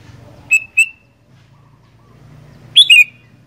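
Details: Sooty-headed bulbul singing: a pair of clear, short whistles early on, silence, then a loud, slurred double whistle dropping in pitch, with soft low rumbling underneath.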